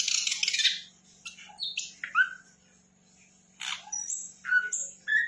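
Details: Lively sikatan londo flycatcher song: a harsh buzzy burst, scattered chirps and thin whistles, a short near-silent pause, then more rasping and whistled notes, with a soft low hum throughout.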